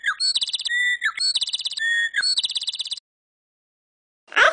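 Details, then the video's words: Singing pet talking bird, asked to sing a happy song, gives buzzy pulsed trills alternating with level whistled tones for three seconds, then silence and a short burst of noise at the end. "Talking Larry the Bird thinks today is a happy day"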